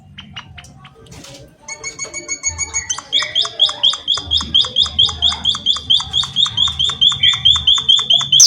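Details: Munia singing energetically in nature: soft twittering at first, then a sustained series of loud, high, sharp chirps, roughly two per second, growing steadily louder.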